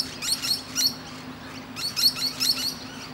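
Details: Short shrill chatter from a musk lorikeet on a branch among other birds: two groups of quick screechy notes, a pause between them.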